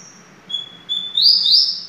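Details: Double-collared seedeater: a high, pure, level whistle followed by a strong, vibrating, buzzy trill.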